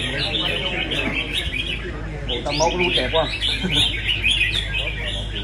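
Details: Red-whiskered bulbuls at a singing competition: dense overlapping chirpy phrases, bright warbled notes repeating quickly without pause, several birds singing at once over a low background hum.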